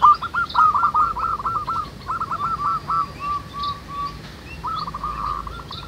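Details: Local zebra doves singing in chorus outdoors. Fast stuttering cooing phrases run together, then slower, drawn-out coos before another rapid rolling phrase. Faint high bird chirps sound in the background.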